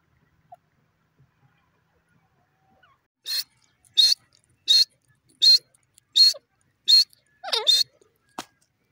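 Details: Grey francolin, locally called teetar, giving a run of seven loud, harsh, broadband notes repeated evenly about every 0.7 seconds, the last ones doubled, against an otherwise quiet background.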